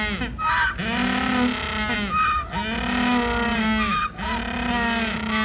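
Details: Penguins calling loudly: long, harsh, braying harmonic calls repeating about every 1.5 seconds, with short gaps between them.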